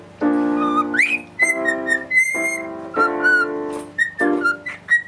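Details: A pet cockatiel indoors whistles clear, sliding notes with one quick rising sweep, weaving a tune while its owner plays steady electric piano chords.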